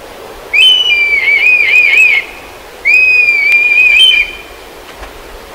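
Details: A black kite near Kemerovo, Russia, gives two long, high, quavering whistles, each wavering and trilling for about a second and a half, separated by a short pause.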